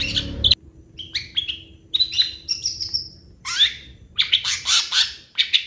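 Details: Lively Long-tailed shrike 'gacor' singing: separate whistled and buzzy phrases, some long and level, one swooping upward, building to a loud, dense chatter of high notes near the end.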